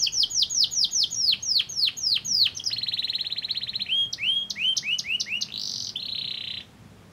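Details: Caged canary song used as a lure to provoke other canaries to sing: fast phrases of high down-slurred notes, a buzzy trill, then quick rising chips and another dry trill.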